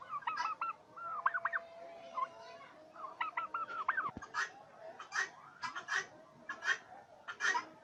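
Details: Farm turkeys in Bangladesh: runs of short, tonal, arching notes in rapid groups, followed by harsher, noisy bursts repeated about once a second, with a single sharp knock midway.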